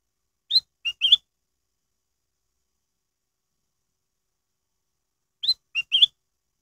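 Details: Black-headed bulbul singing a lure song meant to make other birds sing: the same three-note whistled phrase given twice, about five seconds apart, with silence between and no other sounds.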